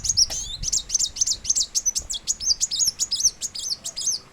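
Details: Plain sunbird song: a rapid, continuous run of very high, thin, twittering notes, roughly four per second, steady and sibilant throughout, with quiet background.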